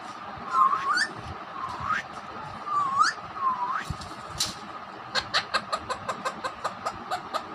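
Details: Pet Alexandrine parakeet (raw parrot) that imitates a hen, whistles and talks. Here it gives four clear upslurred whistles in the first half, then a fast series of short sharp clicks, about two per second, at the end.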